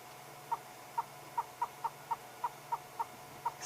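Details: A Yellow-billed Hornbill, beak open and throat fluttering as it pants in the heat on a live safari drive, gives evenly spaced, short clucking notes, roughly three per second, against a faint steady hum.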